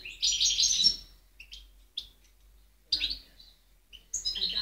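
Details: European goldfinch singing in 2010, heard as short separate bursts: a chattering twitter at the start, a few isolated chips, then two more brief tinkling phrases after quiet gaps.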